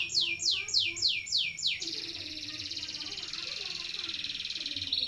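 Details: Canary song with long rolls, used to train other songbirds: five or six fast falling whistled sweeps, then a sustained high, rapidly pulsing roll carried without a break for over three seconds.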